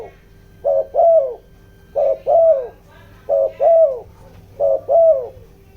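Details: Decoy spotted dove with a giọng đồng voice, calling to lure wild doves: four evenly spaced two-part coos, a quick hooked note then a longer falling one, repeated roughly every one and a half seconds.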